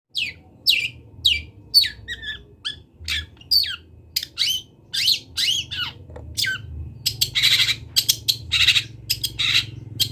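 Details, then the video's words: Long-tailed shrike, a local bird from Kendal, singing a varied song with mimicked phrases: sharp descending notes, buzzy bursts and rapid harsh chatter near the end, over a low steady hum. "MASTERAN CENDET TROTOL BELAJAR BUNYI"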